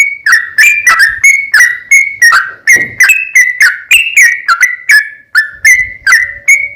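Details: Sooty-headed bulbul in active song, intended as a lure to get other bulbuls calling back. Continuous chain of loud, slurred whistled notes at roughly three per second, with small shifts in pitch.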